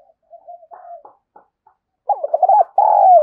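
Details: Spotted dove cooing as a lure, called kích bổi. Soft, quiet notes lead into a loud, rolling, wavering coo followed by a long drawn-out note that falls slightly at the end.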